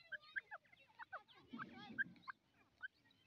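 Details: Grey francolin, known as Dakni teetar, giving bright, clipped notes in short clusters, a low muffled rustle near the middle, then a few spaced single notes toward the end.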